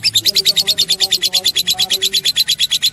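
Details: Lovebird in full song, recorded in Palembang: a fast, harsh, buzzy chatter of high pulses repeated about seven times a second, steady and unbroken throughout.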